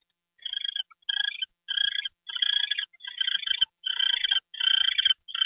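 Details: Owl getting a mouse treat, January 28, 2013, 9:33 PM. Clean, evenly spaced rasping bursts, each about half a second of fast-vibrating buzzy tone, repeat roughly every 0.6 seconds over near silence.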